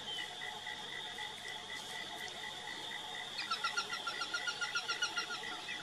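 Peregrine falcon: a fast run of sharp, repeated notes, about four a second, begins halfway through over a steady high whine.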